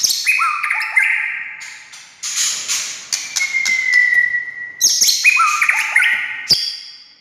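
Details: White-rumped shama (murai batu) song for provoking other shamas to sing: stepped descending whistles, a long slowly falling pure note, then buzzy high bursts and clicks.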